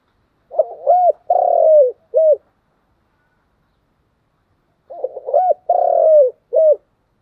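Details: Continuous thúc gù cooing of a spotted dove. Two identical phrases about four seconds apart, each a quick run of short hoots, a long falling coo and one final short coo, with silence between.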